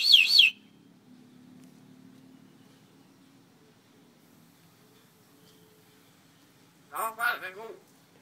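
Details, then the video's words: Bird found on the island of Koh Phangan that imitates coughing and talking; a brief shrill burst opens, then near silence with a faint hum, and a harsh voice-like, cough-like rasping phrase of several pulses near the end. "Coughing, Talking Bird"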